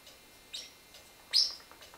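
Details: Indoor step-up training of an eight-year-old male Pacific Parrotlet; a faint chirp followed by one loud, piercing high chirp, then quiet.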